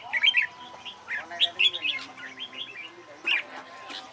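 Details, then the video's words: Red-whiskered bulbul in training for singing competitions, giving clear warbling whistled notes in short, uneven bursts, with a brief pause and then a louder phrase. Soft background hum throughout. "CHÀO MÀO HÓT ĐẤU HAY"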